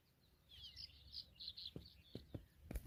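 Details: African familiar chat mother caring for her babies: a quick run of thin, high chirping notes for about one and a half seconds, followed by several dull low knocks and a loud thump at the end.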